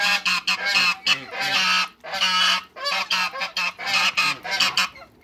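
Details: Backyard flock of African geese, two ganders and a goose, calling in a dense run of rapid, overlapping harsh honks, some drawn out, nearly continuous for five seconds before fading.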